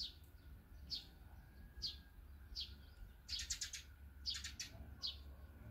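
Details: Feeding birds such as sparrows, tits, bulbuls, crow-tits, turtle doves and magpies call. Single high chirps repeat roughly every second, broken by quick bursts of several stacked tweets, with a faint constant hum behind.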